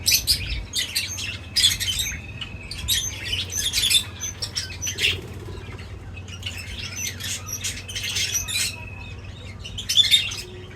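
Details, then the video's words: Birds feeding together: dense, overlapping high chirps and twittering, almost continuous, with short level whistles woven in and a faint low hum behind. "Crazy Birds Feeding Reaction : Birds Chirping Sounds"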